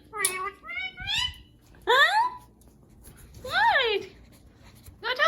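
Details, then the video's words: Pet parrot indoors, calling while a person talks to it: drawn-out, bending squawks with rich overtones, some rising and some arching downward, spaced about a second or more apart, with human speech around them. "Cute parrot “whining” case they didn’t get a treat"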